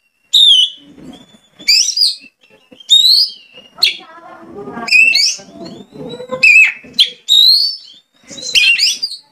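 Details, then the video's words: Oriental magpie-robin (kacer) song used as a lure to get another kacer singing actively: loud clear whistled phrases, some sweeping up and others falling, separated by short pauses, over soft lower chattering and buzzy background sound. "CARA MEMANCING KACER AGAR GACOR... IKUT ON DAN BUKA PARUH"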